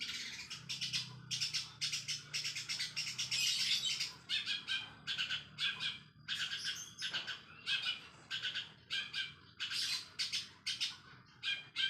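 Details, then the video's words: Rapid long-tailed shrike song filled with sparrow mimicry, used as a lure for other shrikes. A dense torrent of rasping chirps for four seconds breaks into separate scratchy bursts spaced about half a second apart. "CENDET ISIAN GREJA FULL SPEED!!! PANCINGAN CENDET GACOR DOR!!!"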